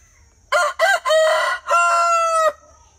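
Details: Rooster crowing: two short opening bursts, then a long harsh note and a steady drawn-out final note lasting nearly a second, about two seconds in all, with a faint constant hum behind.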